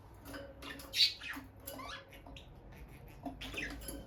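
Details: A bonded peach-faced lovebird pair near the nest box gives soft twittering chirps, punctuated by one sharp, loud squeak, then a run of quieter high chirps; no talking or music.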